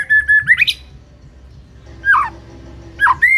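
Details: White-rumped shama song for stirring a mute shama into singing: a sustained whistle that twists upward, a long pause, then two short falling whistled phrases.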